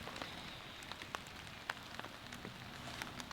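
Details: Rain pattering on a hot tent during a snowy camp, with scattered sharp drips striking the fabric over a soft steady hiss.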